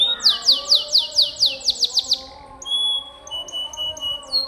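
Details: Canary in full 'gacor' song, used as a training recording for pet canaries: a run of rapid, steeply descending whistled sweeps about four per second, then high thin tones and buzzy notes.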